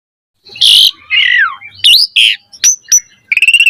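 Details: Asian pied starling song, meant to train birds to sing: harsh squawks, a falling slurred whistle, sharp chips, ending in a fast rattling trill.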